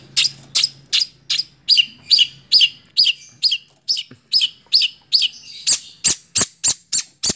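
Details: Caged long-tailed shrike, six months old, singing a series of sharp high chirps repeated about twice a second, each note with a downward flick, ending in crisp clicking notes.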